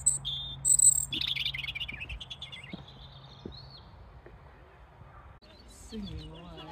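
A European robin sings high, thin, tumbling warbled phrases over the first few seconds, then fainter notes, over a low steady hum with a brief voice near the end.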